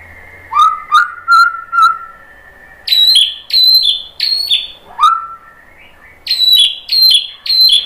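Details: Indonesian white-rumped shama's provoking song, intended to make other birds reply: a series of upslurred whistles, then high ringing two-part phrases repeated in quick succession.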